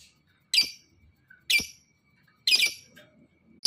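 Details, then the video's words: A fighter-type lovebird, used to stimulate lazy lovebirds to sing, giving loud, harsh, high squawky bursts about once a second. "Suara LOVEBIRD FIGHTER cocok Di Jadikan Pancingan Buat Lb Yang Malas"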